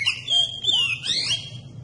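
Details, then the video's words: Oriental magpie-robin singing, recorded as a lure to prompt other magpie-robins into song: clear whistled notes sliding up and down, with overlapping bright slurred phrases and a low background hum. "Kacer Anda Bisa Langsung Nyaut dan Gacor Pakai Video Kacer Pancingan ini"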